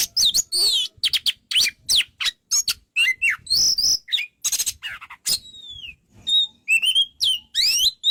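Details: Lively Oriental magpie-robin song for training other birds: many quick whistled swoops and scratchy notes, then a long descending whistle followed by spaced, clear upslurred whistles.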